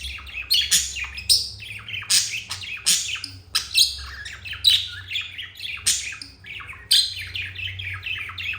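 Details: Pair of pet budgies, one turquoise and one jade, happily chirping: busy, high warbling chatter of quick rising and falling chirps, sharp accented notes nearly every half second, faint low hum behind.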